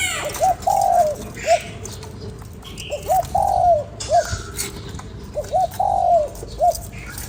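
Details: ['Spotted dove coos to stimulate a lure bird in three evenly spaced phrases, each a quick hooked note, a long sliding coo dropping at its end, and a short final note; light bird chirps behind.']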